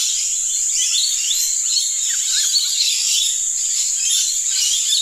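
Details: A flock of lorikeets in trees at slight distance in Australia keeps up a dense, continuous wash of shrill squeaks and chirps, over a steady high hiss or insect-like drone.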